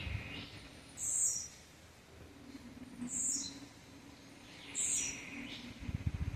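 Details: Blue-black grassquit (Volatinia jacarina), campainha song.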